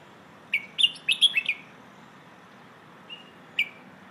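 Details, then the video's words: Red-whiskered bulbul singing in the pleng ho style for teaching young birds: a lively phrase of five or six piercing whistled notes, followed after a pause by two brief isolated chirps. "เพลงโห่ เสียงฝึกร้องนกกรงหัวจุก"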